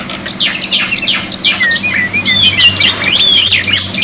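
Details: Black-winged myna singing as a tutor to make silent birds answer: a dense run of raspy notes and bright downslurred whistles, loud and continuous, over a low steady hum.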